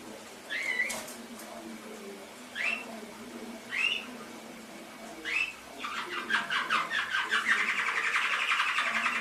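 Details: Canary (kenari) song played as a training 'masteran' recording for pet canaries: a few separate upward-sweeping chirps, then from about six seconds a fast, continuous rolling trill of rapidly repeated bright notes over a faint steady hiss.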